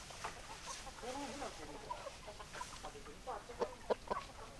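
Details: Chickens on a farm, hens and roosters together: a run of soft, rapid clucks and short chattering notes, growing louder and sharper near the end, over a steady background hum with faint voices.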